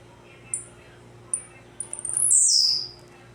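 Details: A blue-black grassquit sings in the tec-tec style: two crisp, very high ticks, then a stuttering run of clicks building into a bright buzzy note that drops in pitch and fades out.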